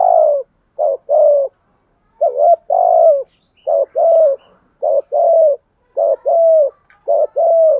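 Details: Spotted dove decoy bird cooing steadily in the 'bài lối' style. About eight brief-then-long coo pairs follow one another in a fairly even rhythm, each long note gently falling.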